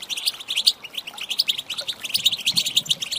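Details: Female European goldfinch calls for exciting males, delivered as clipped bright chirps repeated several times per second in an even, lively patter.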